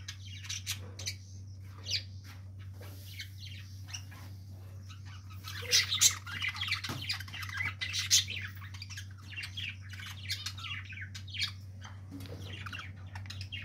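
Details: Pet budgerigars in the morning chatter with quick, scratchy chirps and squawks over a steady low hum.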